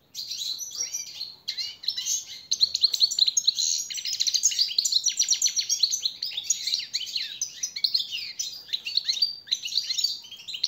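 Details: Captive-bird training song of a European goldfinch, the master song used as a motivator: a long, dense outpouring of tinkling, twittering notes and buzzy trills, fast and nearly unbroken, briefly pausing early before flowing on.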